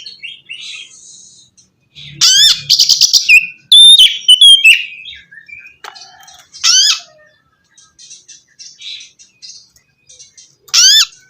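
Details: Kacer (Oriental magpie-robin) song for stimulating a bird that has ceased singing. Loud rapid chattering trills and sliding whistles, followed by softer chirps and recurring bright rising notes every few seconds.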